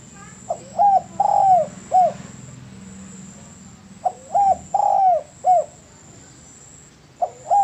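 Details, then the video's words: Spotted dove cooing in a training master recording: twice a phrase of a brief coo, a longer bent coo and a final short coo, about every four seconds, with quiet gaps between. "MASTERAN DERUK YANG PALING DI CARI BANYAK ORANG"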